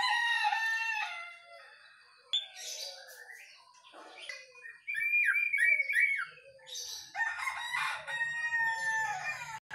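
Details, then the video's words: Caged white-rumped shama out in the early morning dew, in full song: ringing, harmonic whistled notes mixed with harsh, scratchy chatter and rapid twittering, the phrases varied and loud toward the end. "saat mengembunkan MB kepantau GACOR"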